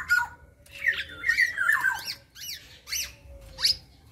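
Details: Local black-naped oriole, a young bird just past its spotted plumage stage, giving a short run of whistled slurred notes mixed with sharp rising and falling squeaks, with some harsh buzzy fragments between them.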